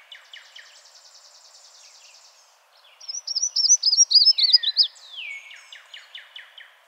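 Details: Yellow-throated Warbler (Setophaga dominica), recorded in Arkansas, sings a bright, rapid run of sweet slurred notes sliding downward in pitch toward the end; a faint high trill from another bird comes first.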